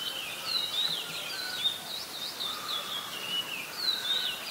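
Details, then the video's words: Adult Red-whiskered Bulbul recorded in Ubon Ratchathani, Thailand, on 16 December 2020, singing bright, warbling whistled phrases that slur up and down, given in quick succession against a steady hiss of background noise. "นกปรอดหัวโขน (นกกรงหัวจุก, ນົກຫົວຈຸກ , ນົກຂວກ) /Red-whiskered Bulbul (Pycnonotus jocosus)"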